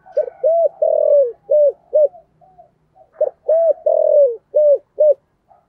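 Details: Spotted dove in the Vietnamese 'giọng thổ' voice style, played to lure wild doves to the perch: two clear, mellow cooing phrases, each a quick note, a long drawn coo, then two or three short falling coos, in quiet surroundings.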